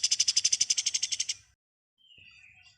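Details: Pied triller (kapas tembak) delivering a rapid ngebren trill of about fourteen bright, high, evenly spaced pulses lasting under two seconds, followed by a faint, thin, falling whistle.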